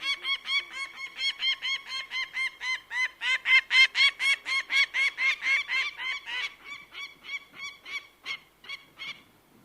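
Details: Bird of prey delivering a rapid, rhythmic string of harsh, strident notes that builds to a loud peak, then thins to slower, quieter calls before stopping.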